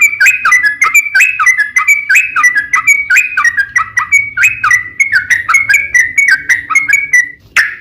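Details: Sooty-headed bulbul in a long 'ropel' lure song for other bulbuls: around seven seconds of rich, whistled, rolling phrases, notes sliding up and down, ending in one sharp burst.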